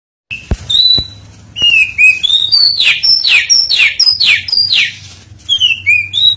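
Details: Oriental magpie-robin song used as a lure to provoke singing: clear whistled notes around mid-high pitch alternating with rapid downward-sweeping slurs, varied phrases in quick succession after a few soft clicks, low hum underneath.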